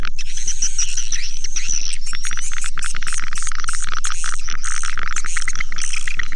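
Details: Swiftlet attraction call: a thin high whistle at first, then loud, buzzy chirps and twitters packed over an even ticking rhythm of roughly four pulses each second.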